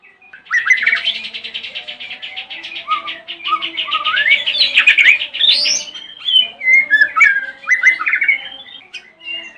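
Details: White-rumped shama singing in the morning to provoke other shamas into answering: a rich, loud run of rapid buzzy trills and chattering notes, then varied whistled phrases rising and falling, over a faint low hum.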